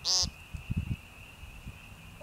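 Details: ["Peenting American woodcock, also called Timberdoodle, in Missouri's northern Ozarks at Young Conservation Area on March 28, 2015; one loud, brief, harsh nasal peent opens, followed by low soft thumps and a steady high whine."]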